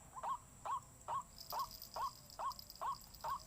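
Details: White-breasted waterhen calling in a steady series of short rising notes, about two per second, each with a sharp onset, over a faint steady high hiss.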